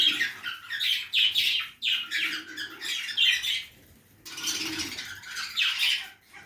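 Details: Budgerigar feeding in a backyard aviary: dense, scratchy chirping chatter in quick overlapping bursts, a brief lull near the middle, then the busy twittering resumes.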